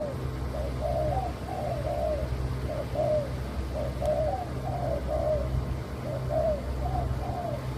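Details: Spotted dove of a leopard colour variant, also called white derkuku, cooing: soft, low hollow coos in short two- and three-note phrases, repeated steadily, over a constant low background hum.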